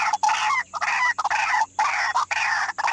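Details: Agitated white-breasted waterhen repeating a loud, harsh, croaking note about every half second, five or six calls in a row with short gaps between.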